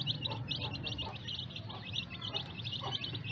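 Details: Freshly hatched chicks keep up a constant stream of high, shrill, slightly downslurred peeps, several birds calling at once, with a low droning hum beneath.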